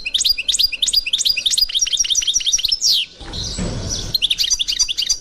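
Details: European goldfinch, authentic Constantine song style, 2021: regular bright chirps and tinkling notes in quick succession, interrupted midway by a short burst of low rustling noise before twittering resumes.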